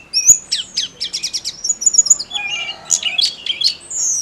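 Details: Snowy-browed flycatcher in lively, continuous song, used to stir up other songbirds such as magpie robins: high thin whistles, a fast run of sharp downslurred notes, then jumbled twittering phrases.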